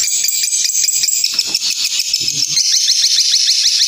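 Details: Long-tailed shrike pressing its song in fighter style: a fast rattling run of short, sharply falling strokes, roughly three per second, high and harsh, with a bright whistled band over the top.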